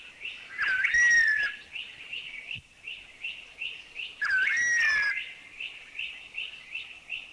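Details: Streaked wren-babbler giving its sad call, two long plaintive slurred whistles about three seconds apart, over its own steady run of soft repeated "chuchi" notes; recorded in Thai national parks (Khao Yai, Doi Inthanon, Doi Suthep-Pui, Chae Son).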